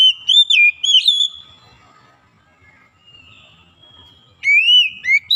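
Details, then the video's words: Oriental magpie-robin (kacer), a lazy singer being brought back into full song: quick looping whistles at the start, near silence with faint soft notes in the middle, then a rising whistled phrase at the end. "KACER YANG MALAS BUNYI JADI GACOR"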